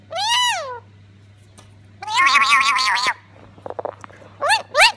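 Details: A female black-capped lory imitating a cat gives rising-and-falling meow-like calls, then a harsh buzzy note, short clicks and two more quick meows, over a steady low hum.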